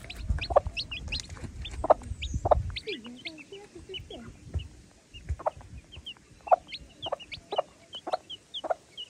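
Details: A mother hen gives low, soft clucks every second or so, calling her chicks to eat, while the chicks peep in short, high, rising notes over and over.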